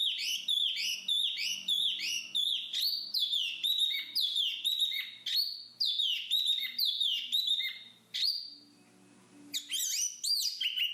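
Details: Black-capped babbler (jongkangan) delivering a busy run of sharp, twittering phrases, each a quick rising-then-dropping slur repeated about twice a second, then a short break before it resumes more loosely.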